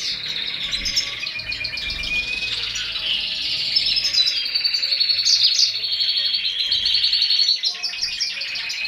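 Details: Balkan goldfinch feeding four baby canaries; a continuous rapid high twittering chatter, about four pulses a second, steady and unbroken throughout.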